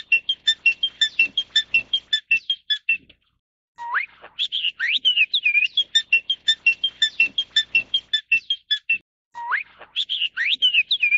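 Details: Crested myna, Taiwan subspecies formosanus, repeating quick sharp chipping notes in long rapid series, broken by upward-sweeping whistles and twisting slurred phrases, the pattern cycling twice through the recording.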